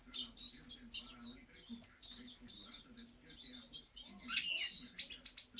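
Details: European goldfinch giving quieter, scattered twitters and chirps, then a louder burst of bright tinkling notes near the end, with a low steady hum throughout.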